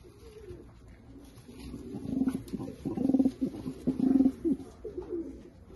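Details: American Shamsi pigeon cooing: deep, throaty, rolling coos repeated about once per second, with breathy pulses between them, heard in a room.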